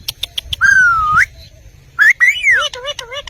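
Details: Pet Indian ringneck parakeet from a set of Urdu- and Hindi-talking birds; clicks lead into a long, clear whistle that dips then rises, followed by an arching whistle and a string of short wavering notes.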